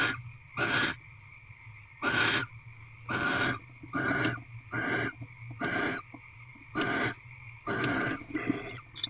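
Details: A pair of barn owls mating and bonding in a nest box at Corral, evening of 27 February 2023: a run of about ten rasping, breathy hiss-screeches, roughly one per second, with a constant low hum behind.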